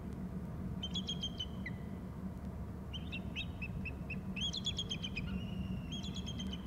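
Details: Pair of eagles calling by a trunk area: repeated runs of high whistled, stuttering piping notes, some ending in a held tone, in several bursts over continuous low background rumble.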